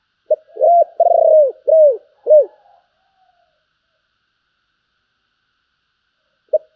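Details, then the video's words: A spotted dove's giọng thổ style cooing with a Bầu tone: a short lead note, then a sustained coo and three rounded falling notes, followed by a long silence and one isolated note. "cu gáy giọng thổ, Bầu nghe rất hay"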